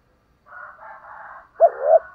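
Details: Spotted dove calling to lure wild doves. Soft, rough cooing comes first, followed by a louder double-note coo with a rising second part, all against a quiet background.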